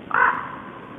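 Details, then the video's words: Common raven giving a single short, harsh caw at a feeding ground shared with small birds at Siga on 10 January 2012; one brief croak, then quiet. "Ravens & Small Birds"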